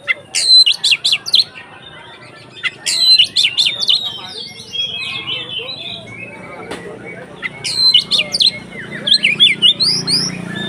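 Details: Oriental magpie-robin (kacer) singing in the 'konslet ngeplong' style, used as a lure to make other kacer more emotional: bursts of sharp, varied high whistles and chattering notes in groups, with pauses and soft background noise.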